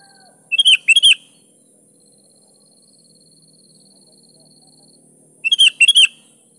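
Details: Kutilang, the sooty-headed bulbul, in full song meant to coax reluctant birds into singing: two phrases about five seconds apart, each a rapid run of four ringing, slurred whistles over a thin constant hiss.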